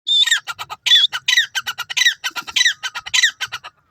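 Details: Grey francolin, known locally in India as teetar, giving loud harsh calls: strident squealing notes mixed with rapid stuttering clicks, repeated in quick bursts about every half second.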